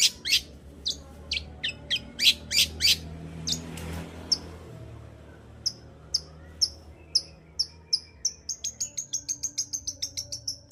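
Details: Long-tailed shrike song used to trigger a silent shrike: loud harsh notes at first, then spaced high chips, finishing with a fast even trill of repeated thin notes; a light noise burst in the middle.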